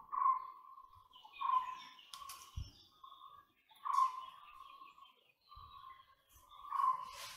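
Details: Repeated single notes from a White-bellied woodpecker, each a steady mid-pitched tone held briefly, about one per second and a half, against a quiet background with faint higher chirps.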